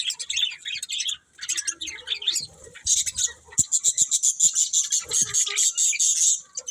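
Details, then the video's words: Budgies chirping: mixed scratchy twitters at first, then a fast, even series of sharp high chirps repeated several times per second. "Cute Budgies Chirping Sounds"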